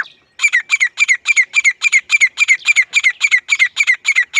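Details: Grey francolin giving a loud, powerful call, a steady run of harsh, ringing squawky notes repeated quickly and evenly, about three to four per second, each note slightly dropping in pitch.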